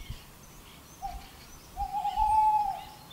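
A Tawny Owl hoots: a brief soft note, a pause, then a longer wavering hoo that trembles at the end, all low and mellow against a quiet background.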